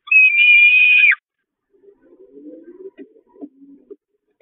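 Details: Hungry Peregrine falcon chicks at the Catharinakerk church nest, 5 May 2021, attacking their mother, who flees to the grate: one loud, drawn-out, steady whining note lasting about a second, then faint scattered low scratchy sounds.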